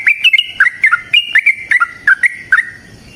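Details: Yellow-vented bulbul in full, vigorous song used as a lure for caged birds, delivering a tight series of loud liquid whistles that step downward, then fading out at the end.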